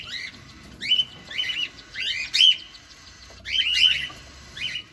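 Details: Cockatiel feeding, filmed close: clear whistled upslurred chirps, single or doubled, coming in uneven bursts, with a longer chattering run near the end.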